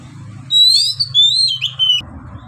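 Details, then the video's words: White-rumped shama singing with long breath: a run of rich whistled phrases, rising and falling slurs packed together for about a second and a half, over a low steady hum. "KACER GACOR NGEPLONG NAFAS PANJANG"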